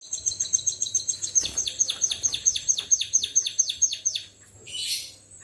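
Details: White-headed munia singing in a canary-like style: a fast run of about fifteen high, sharply falling whistled notes, roughly three per second, ending in a short hissy burst.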